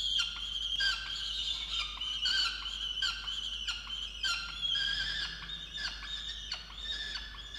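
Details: Peregrine falcon in its water-tower nest box in Orange, Australia, 8 November 2022, upset that its mate brought no breakfast; continuous grating, whining cries with stacked harmonics and short sharp breaks about once a second.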